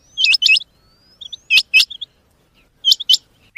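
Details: Rain quail, a mix of "changa" and "dogla" quail voices, giving sharp, metallic doubled notes, 'which-which', repeated about every one and a half seconds, with soft higher chips between phrases.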